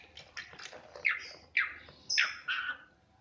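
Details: Asian pied starling imitating a person coughing: a series of harsh, squawky bursts, each abrupt and falling, about four strong notes spaced roughly half a second apart, indoors, with a person exclaiming afterward.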